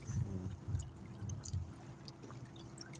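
Soft water sounds with gentle pouring and gurgling, low thumps and faint clicks, no animal voice heard.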